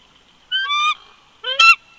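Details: Pair of bald eagles duetting on a winter day, 22 February 2020, near an old nest snag at Big Bear Lake, California: two thin, high, squealing calls half a second apart, the second harsher and rising, otherwise quiet.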